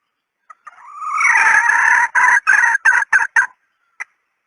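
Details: Hen red junglefowl calling, used as a decoy: a soft lead-in, then a long rising nasal note that becomes a loud harsh cackle, ending in six quick choppy notes and a final faint click.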